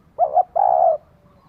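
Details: Female spotted dove calling to excite a male: a single brief phrase, a quavering double hoot followed by a long, even, purring coo, then quiet.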